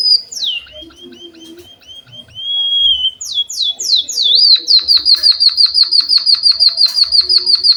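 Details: Canary-imitating gacor song of a Java sparrow: a string of downswept whistled notes, then a fast, steady trill of sharp repeated notes lasting several seconds, quite loud and clean.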